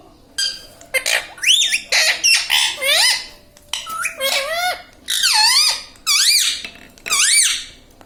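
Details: Pet parrot indoors, said to talk and say "Mummy": a rapid run of about a dozen loud, harsh, wavering syllables in quick groups, each sweeping down then up, filling the clip in a small room.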